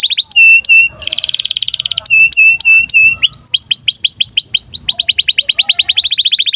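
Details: Canary in breeding condition, singing for young canaries to learn from. It opens with spaced flat whistles broken by a dense buzzy burst, then moves into a long run of rapid down-swept notes forming a fast roll.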